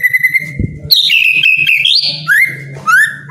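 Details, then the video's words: Captive white-rumped shama song, played to make lazy birds sing: a long steady whistle, then rich sliding whistled phrases and rising upslurs, over a low hum and a brief thump. "MURAI MALES BUNYI..JADI GACOR PLONG"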